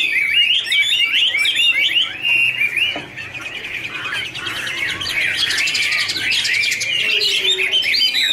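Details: Two Chinese hwamei singing in duet while dancing, a rich warble of quick rising and falling whistles, rapid notes around two per second blending into a dense, buzzy, overlapping chorus.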